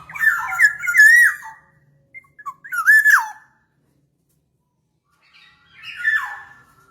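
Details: Black-naped oriole whistles used as a lure: three fluty phrases a couple of seconds apart, each rising then dropping, the last softer and rougher, over a faint low hum at the start.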